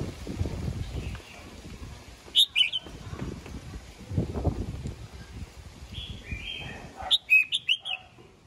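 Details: Red-whiskered bulbul singing in the morning to call the flock: scattered sharp chirps and brief whistles, ending in a quick chirpy run, over rustling low background noise.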